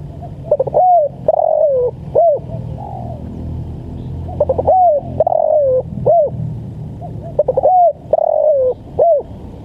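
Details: Spotted dove giving the lambungkuk call, meant for training and trapping: repeated phrases of clipped introductory notes, then a low, falling coo, recurring roughly every three seconds against a low background rumble.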